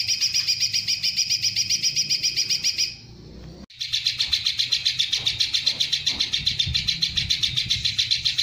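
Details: A long burst of rapid, high, chattering notes, about four per second, in the song of a greater green leafbird, its song filled with kingfisher-style rolling shots. The burst breaks off briefly at about three seconds, then resumes just as fast.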